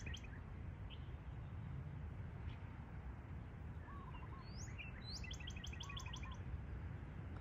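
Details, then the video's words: Northern Cardinal, morning of 24 March 2024, gives a quick run of bright, slurred whistled notes late in the clip, over a steady low rumble with a softer warbling bird in the background. "Northern Cardinal morning bird call"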